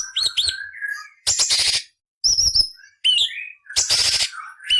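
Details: Cucak cungkok song serving as a model for murai, cucak ijo and kacer, full of coarse rasping: quick whistled flourishes alternating with loud scratchy buzzes at irregular intervals.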